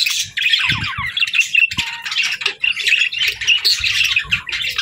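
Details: Pet budgerigars chirping: dense, continuous chatter of rapid warbled and buzzy notes with short squawks, several birds overlapping, a few low thumps underneath.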